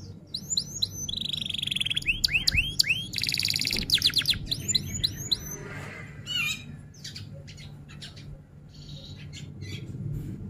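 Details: Long F1 canary song, rolls and shots: rapid upswept whistles, a buzzy drawn-out note, a bright rattling roll and more swoops, then sparse sharp clicks and chirps over a low steady hum.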